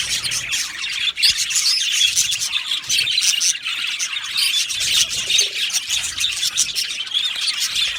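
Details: Aviary colony of Australian budgies chattering together: overlapping high, scratchy chirps and short squawks pour out steadily across the whole stretch, with no break in the flock's noise.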